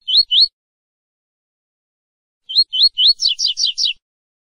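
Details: Double-collared seedeater (Sporophila caerulescens) singing the "tui-tui" fibra song type, used for training caged birds: two rising whistled notes, a pause, three more, then a fast run of four buzzy, trilled syllables, high-pitched and clear.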